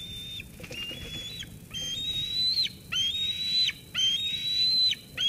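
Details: Eaglet at Sauces Canyon, 13 June 2021, squees at its mother after she brings food, until she goes. Piercing whistled squeals rising gently and snapping downward at the end, coming in quick succession, about five.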